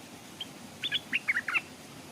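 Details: Stripe-throated bulbul, a caged decoy bird hung beside a stream to lure wild birds, which came near but dared not come down; a short run of bright, chirpy notes rising and falling in quick succession over a quiet background.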